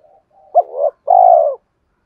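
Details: Spotted dove song used to stir up and lure birds: a soft low lead-in, then two hoarse, mellow coos, a short accented note followed by a longer, steady, throaty coo, in clean quiet surroundings.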